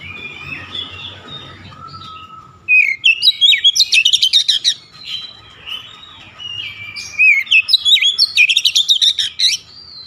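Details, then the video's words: Caged oriental magpie-robin in an aggressive shooting song display: sweet whistled phrases, then loud bursts of rapid, sharp, buzzy repeated notes in two volleys, with a faint steady background hum. "KACER NEMBAK NEMBAK BONGKAR ISIAN"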